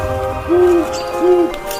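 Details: Great horned owl hooting, its most characteristic sound, a humming hoot used for communication: two low, soft, even hoots about three-quarters of a second apart, over steady background music.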